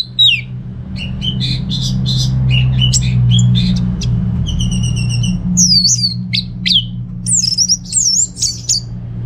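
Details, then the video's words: Orange-headed thrush kept in Singaraja, North Bali, singing in receh style. It gives a fast series of clipped chips, then a buzzy repeated stutter, then looping high whistled phrases, over a constant low hum. "Receh & Jos Suara ANIS MERAH Berkicau"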